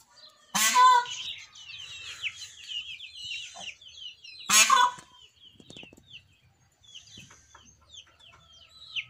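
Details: Captive peacock startled in the early morning, perhaps by a passing cat or dog, gives two loud, brassy screams about four seconds apart over a steady background of small twittering birds.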